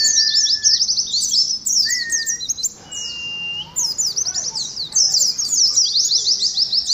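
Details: Oriental white-eyes singing in the 'ngalas' contest style: bursts of fast, high, chattering trills with a short quieter gap midway, and thin steady whistles drawn out beneath them.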